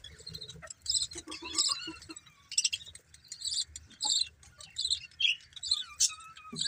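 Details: Quieter budgie chatter, scattered high squeaks and short scratchy chirps in separate bursts, with soft rustling between them.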